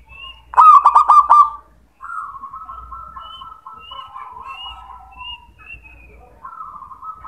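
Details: A male zebra dove gives a short burst of rapid staccato coos, then a long, soft, rolling trill of cooing notes, with faint high whistles from other birds in the background.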